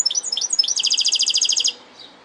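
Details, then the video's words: Song of a goldfinch hybrid: a few sliding chirps followed by a dense, rapid buzzy trill of evenly spaced notes lasting about one second, ending abruptly with a faint soft call after. "Saka Melezi Parçalı ötüm"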